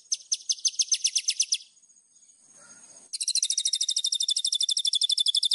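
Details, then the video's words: White-rumped shama master song used for training, full of fill phrases: a high rapid trill, a short quiet gap, then a faster, sustained high trill. "MASTERAN MURAI BATU GACOR !!! FULL ISIAN LANGSUNG EMOSI !"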